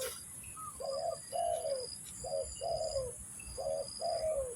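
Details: Spotted dove cooing for luring and trapping: three clear pairs of notes, each a brief coo followed by a fuller, falling one, with a faint high whine throughout.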